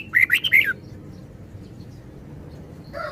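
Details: Five quick, liquid whistled notes rising and dipping in a single phrase from a red-whiskered bulbul. Silence follows, then a short lower call at the very end.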